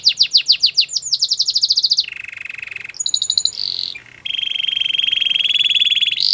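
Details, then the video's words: Belgian canary song moving from a rapid run of descending whistles into long flat buzzing rolls, one lower and one higher, separated by a short bright chirping burst. "Belgian canary song"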